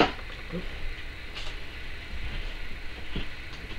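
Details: Only a low indoor rumble with a few soft knocks and clicks is heard; no animal calls stand out.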